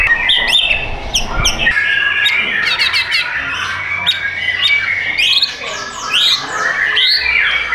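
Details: White-rumped shama (murai batu) singing a rich, fast medley of sharp clicks, rapid trills, whistled slurs and harsh notes packed closely together, with a faint low hum beneath.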